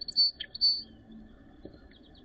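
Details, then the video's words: Song sparrow in Northern Ontario, snowy late April 2023, giving two clear, high, sustained whistled notes with a short lower chip between them, then only faint, quiet background. "Song Sparrow Sings"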